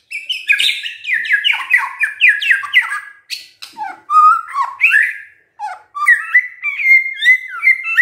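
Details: White-rumped shama singing gacor: a rapid tumbling run of varied whistled phrases sliding up and down, with harsh clicks mixed in and a few brief pauses, ending in sweet sustained whistles.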